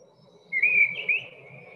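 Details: A mistle thrush gives one loud, strident, fluting phrase in two parts that stays at nearly the same high pitch, as if stuck in a groove, over a faint low hum.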